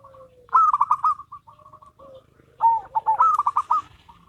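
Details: Local and crossbred zebra doves singing a duet. Two loud phrases of rapid rolling coos are linked by soft repeated notes, with a low sliding coo in the background.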